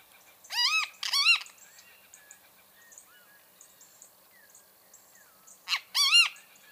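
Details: Bem-te-vi, the great kiskadee, gives paired harsh, arched notes twice, several seconds apart. Faint high chirps from other birds sound in the background between the phrases.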